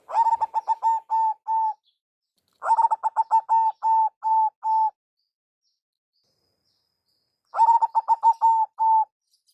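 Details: Zebra dove, local perkutut, lure call: three stuttering coo phrases, rapid clipped notes settling into steady held coos, with long silent gaps between phrases and nothing else audible.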